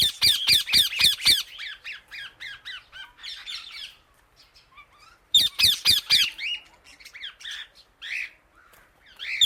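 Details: Loud chirping from an Indian ringneck parakeet calling to other birds, opening with a fast run of about six harsh squawks, then chattering notes, a brief lull, and a second burst of rapid calls.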